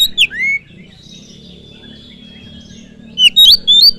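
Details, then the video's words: Oriental magpie-robin (kacer) singing a lure song to provoke other birds: falling whistled notes, a long thin sustained whistle, then quick rising and looping whistles. "Pancingan kacer full durasi || SEKALI PANCING BURUNG ANDA LANGSUNG PANAS"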